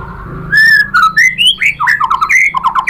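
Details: White-rumped shama delivering a lure song meant to provoke other shamas into answering: a drawn-out clear whistle, then quick slurred whistles climbing and dropping, followed by a fast burst of chattering notes.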